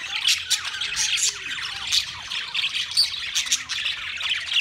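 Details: Budgerigars on 13 March 2024 give a dense stream of squeaky chirps and short squawks, loud peaks recurring roughly every second.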